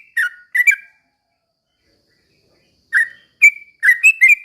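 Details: Chatty Sooty-headed bulbul, recorded as a lure to make other bulbuls sing; a couple of bright whistled notes, a two-second silence, then a quick burst of four clear rising whistles.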